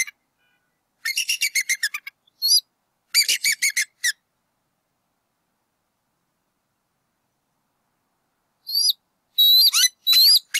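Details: Bald eagle pair at their nest in NW Georgia, April 2018, vocalizing while the male drives off an intruder, eaglet lying flat in the nest: fast staccato piping series, repeated chattering bursts, a long silence, then thin high whistled squeals.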